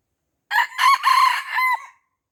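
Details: Wild red junglefowl in Aceh, hemmed in by young birds yet not fighting, gives one clear crow of four linked parts, a short harsh opening, two loud strained middle notes and a lower, drawn final note, with silence around.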